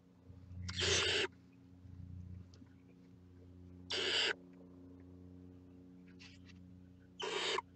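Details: Barn owl chicks poking their heads out of the nest, giving three harsh, broadband hissing screeches about three seconds apart over a low steady hum.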